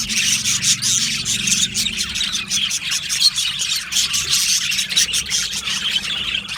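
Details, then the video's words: Many budgerigars in an aviary colony chattering, a thick wash of rapid high chirps and clicks that swells and dips in loudness, with a soft low drone early on. "Australian Budgie chirping sounds"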